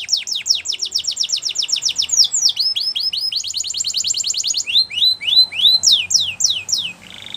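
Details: Spanish Timbrado canary song for training, made of fast descending sweep notes repeated several times a second, shifting into a tight rolling trill and then slower downward-slurred whistles, with faint background hiss.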